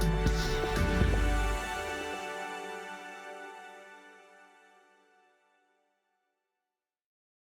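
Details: Soft instrumental music swells, then fades slowly into silence, with no animal sounds.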